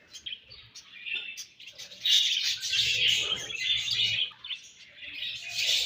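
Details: Budgerigars chirping while feeding and exchanging food; busy high warbling chatter with fast irregular clicks, louder from the second second onward.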